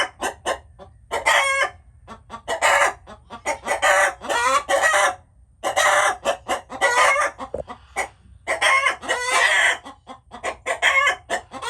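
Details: Several chickens clucking and squawking in bursts, short harsh notes mixed with longer wavering cackles, several birds calling over one another with brief quiet gaps.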